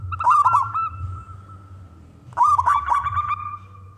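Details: Wild local male zebra dove, contest type, singing to call other doves into song: two rolling coo phrases about two seconds apart, each trailing into a steady tone, with low rumble.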